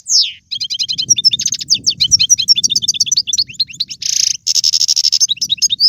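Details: Energetic European goldfinch song in 'bitbita' style to stir a caged goldfinch into singing: a downslurred note, then rapid chirps and twitters, two harsh buzzy bursts and more rhythmic trilling, with faint low background rumble.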